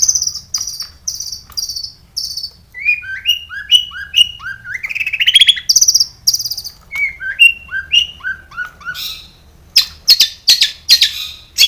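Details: Long-tailed shrike song used as a lure to get captive shrikes singing: high scratchy notes, then series of clear whistled upslurs repeated about twice a second, closing with sharp rapid chatter.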